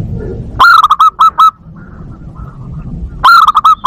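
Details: Zebra dove lure call meant to attract doves and spark breeding: two loud bouts of quick, clipped, slightly hooked cooing notes, five or six per bout, separated by a pause of soft distant calls.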